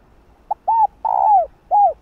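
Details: Female spotted dove cooing to call her male: a brief soft pip, a rounded hoot, a long swelling coo gliding downward, and a last arched hoot, clear against a quiet background.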